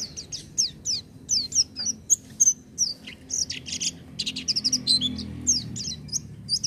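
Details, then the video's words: Energetic oriental white-eye song, "gacor" style: high, sweet, downslurred whistles tumble quickly one after another, mixed with short sustained tones and denser chattering clusters, continuing without pause over a faint low hum. "pleci buka paruh tanpa doping gacor dor"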